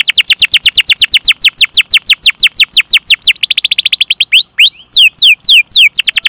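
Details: Long canary song of the 'cuit cuit' and 'ngerol' rolling type, played to coax other canaries into singing. Evenly repeated high down-slurred chirps speed up into a tighter trill. Looping, hooked whistles then close the phrase.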